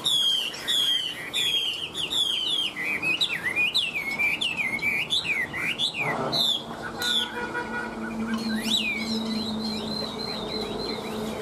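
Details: Chinese hwamei singing without pause in its cage: repeated bright, looping whistles that drop and rise, a sharp click midway, then a sustained run of lighter wavering whistles over a faint low drone.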